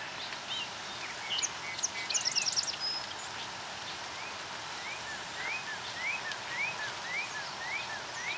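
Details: Song sparrow at Rosetta McClain Gardens, Toronto, Ontario, Canada, on 5 July 2009, gives a quick run of high notes ending in a fast, bright trill, while other birds keep up repeated rising chips behind it.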